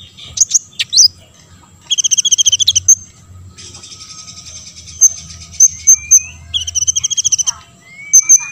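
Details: Olive-backed sunbird song used to goad other sunbirds into singing: fast rattling trills of high paired notes, sharp single ticks, and thin rising slurred whistles, alternating over about eight seconds.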